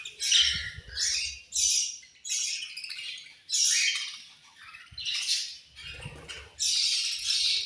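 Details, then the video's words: Budgerigars at food time giving loud raspy squawks and chirps in separate bursts about a second long, with low thumping from feeding. "My Beautiful Budgies Angry Eating And Chirping Sounds"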